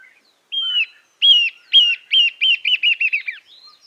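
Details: Narrow-billed Woodcreeper in Argentina singing a series of clear, downslurred whistled notes. They start spaced apart, then speed up and shorten into a quick descending run of about eight notes, with no other sounds.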